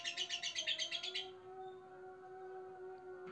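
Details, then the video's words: Lovebird in a cage, stirred by a new male nearby, gives a short burst of rapid buzzy chattering ngekek for just over a second before falling silent, leaving only a steady low humming tone. "Love Bird Lover: Ngekek Panjang Ketemu Pejantan Baru"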